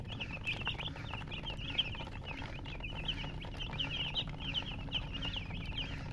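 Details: Baby chickens chirping in a steady stream of short, high peeping notes, several overlapping, each a quick rising-falling squeak, with a low rumbling background throughout.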